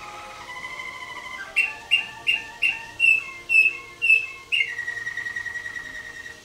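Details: Contest Waterslager canary in its cage at the 2011 WWC show, judged on Klok and Bol tours, delivering about eight loud, bright, bell-like knocking notes in an even row, then a long sustained whistle.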